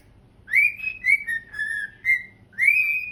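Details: Pet cockatiels, a pair, singing together on a couch while dancing, recorded in September; five loud whistled notes, the first and last swooping upward, the middle ones level or gently falling, over a quiet low background hum.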